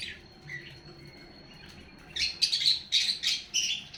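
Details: Pet lovebirds calling while eating food: a faint thin whistle early on, then from about two seconds a burst of harsh, high chirps and squeaks repeated in quick succession.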